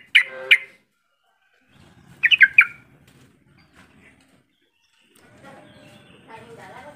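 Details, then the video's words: Yellow-vented bulbul calling to prompt quiet bulbuls to respond: two sharp chirps at the start, then a bubbly cluster of quick notes a couple of seconds later, followed by faint chatter and background noise. "Suara panggilan trucukan yang seperti ini cepat merangsang trucuk bisu jadi ikut bunyi sahut sahutan"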